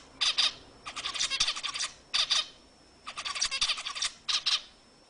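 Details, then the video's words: Zebra finch singing to excite other birds: short clusters of buzzy, nasal notes come in several separate bursts, each lasting under a second, with hissy quiet between them. "صوت طائر الزيبرا لتهيج الطيور"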